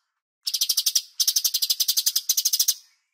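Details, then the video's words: Bulbul (cucak cungkok) on a master recording for training songbirds: two long, fast rattling trills of evenly spaced, bright high notes, the second longer, with no other sounds. "MASTER CUCAK CUNGKOK Jeda Terapi Air"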